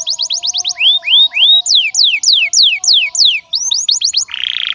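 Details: Canary song used as a lure to get young canaries and silent canaries singing: rapid series of steep descending whistled sweeps, first quick and high, then slower looping notes, ending in a dense buzzy trill.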